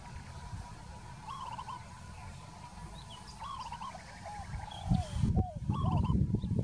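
Short, soft, rippling coos from a peaceful dove, given in brief trilled phrases every second or two, partly buried under heavy low wind rumble.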